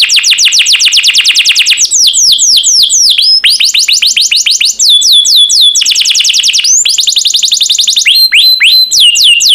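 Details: Canary song from a master recording for training birds to sing: long fast trills of downward-sweeping high notes, about three to four per second, shifting into different rolling tours, with brief upward whistled notes between phrases.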